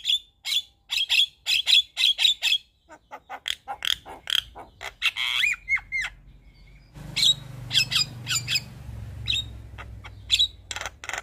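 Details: Javan myna, kept in a cage, singing a long string of sharp clicks and chirps mixed with a few slurred whistles; low background hum grows partway through.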